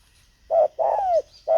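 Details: A brief spotted dove call from a decoy used to lure wild birds: a short coo, then a longer smooth coo curving downward, then the start of another.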